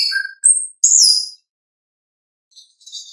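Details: Orange-headed thrush song used as a lure for caged birds: clear whistled notes, a low whistle near the start, then a high sliding whistle and a loud rich phrase, followed by faint scratchy twitters after a pause.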